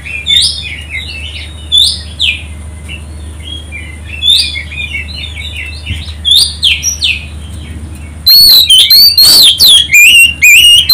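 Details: Oriental magpie-robin song played to provoke other birds into singing: a softer, steady series of short whistled phrases repeated every second or two, then a sudden loud, rapid burst of piercing whistles.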